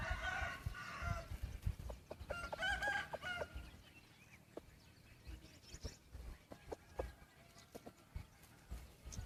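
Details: White-eared decoy rooster praised for its beautiful voice, giving two ringing crows about a second long each, followed by clicks, taps and low background noise.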